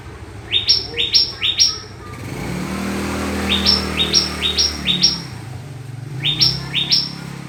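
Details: Yellow-vented bulbul singing to provoke a rival: three bursts of quick, bright notes, each three rising chirps stepping upward, with pauses between, over a steady low rumble of engine noise.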